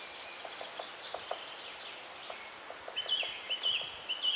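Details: Great spotted woodpecker nestlings being fed keep up a continuous high, squeaky chatter that swells into louder bursts, with soft low knocks in the background.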